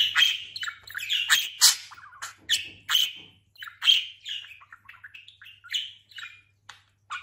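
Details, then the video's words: Pet talking budgerigar, just molted and grown plump, voices repeated bright chirping notes roughly every second, then trails off into softer, scattered twitters. "Konuşan muhabbet kuşu"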